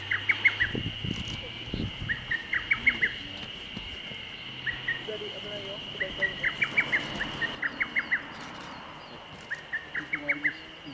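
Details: A lesser cuckoo, recorded in 2014, sings its "tokkyo kyoka kyoku" song. Loud, rapid phrases of five or six clipped, whistled notes repeat every second or two over a steady high insect drone and a few low thumps.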